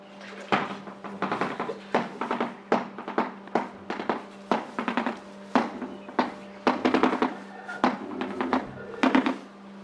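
A shoebill makes a dry, machine-like clatter in rapid bursts of knocks, repeated every second or so, over a steady low hum.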